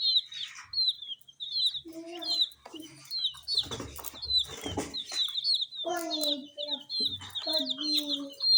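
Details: Tiny colored chicks eating spicy snacks give high, thin peeps that fall slightly, repeated rapidly and overlapping, with brief lower voiced sounds and crunching noises in between.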